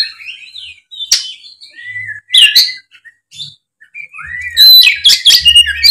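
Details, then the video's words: Loud-singing Oriental magpie-robin, played as a lure to get a listless speckled bird to reply; sweet slurred whistles and a downward glide, then a dense burst of scratchy chattering notes, over light low humming. "suara kacer gacor ngeplong pancingan kacer drop trotol seketika nyaut gacor"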